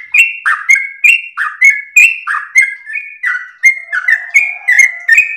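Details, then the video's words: A sooty-headed bulbul pours out a melodious training song, fast whistled notes in pairs of high and low, each tipped with a sharp click, a soft low hum entering near the end. "trucukan gacor lagu MERDU ropel nafas panjang TERBAIK buat masteran pancingan"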